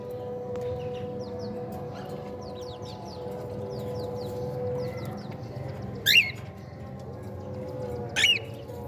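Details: Playful cockatiel chicks during meal time give soft, quick chirps in the background, followed by two loud, sharp, rising squeaks two seconds apart. A constant droning hum runs throughout.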